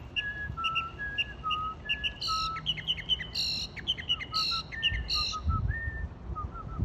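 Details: Bird singing from a palm tree by the marina in Wilmington, North Carolina: clear whistled notes alternating high and low, interspersed with sharp chip-like bursts, continuous varied phrases over low background rumble.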